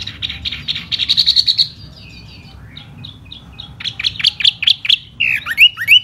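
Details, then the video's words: Spring song of a laughingthrush in fanned display: a fast trill of high whistles, softer warbled phrases after it, then loud repeated notes and closing upslurred whistles. "chú tiểu mi hót xoè rất hay"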